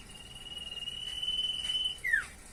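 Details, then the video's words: Common iora, called cipoh, gives a long, even, high whistle lasting nearly two seconds, finishing with a bright falling slurred note. "burung sirtu/cipoh gacor variasi"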